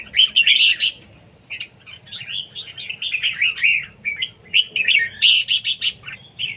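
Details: Red-whiskered bulbul contest song, siêng ché style, delivered as a nearly continuous stream of high, slurred chirps and warbles at about three notes a second, with sharp, loud bursts at the start and again near the end.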